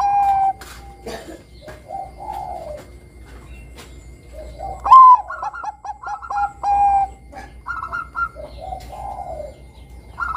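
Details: Zebra dove of the Bangkok type singing actively, used as a lure to start young doves singing: mellow descending coos, a sharp higher note, then runs of staccato cooing notes amid light clicking.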